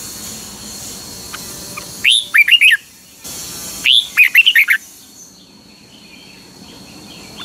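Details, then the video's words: Red-whiskered bulbul from Pa La-u, Thailand, singing the double-phrase style known as phleng boen: two bursts of bright, warbled whistles near two seconds and four seconds, each a quick run of five or six notes, then quiet with faint background hiss. "เสียงนกกรงหัวจุก นกป่าละอู เพลงเบิ้ล2 เพลงเบิ้ล3"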